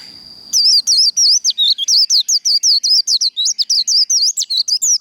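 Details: Japanese white-eye in fighting líu song for training birds: after half a second of thin steady tone, a continuous stream of fast, bouncing high whistled notes begins and runs to the end.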